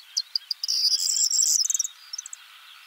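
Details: Corn bunting male perched on a twig in the Czech Republic sings a full phrase: several sharp introductory ticks build into a loud, glittering, jangling burst, then a few fading ticks.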